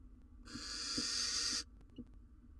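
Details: Inside a nest box where the male barn owl has brought a rodent for the female and chick, one sustained, harsh hissing screech over a second long, then faint shuffling.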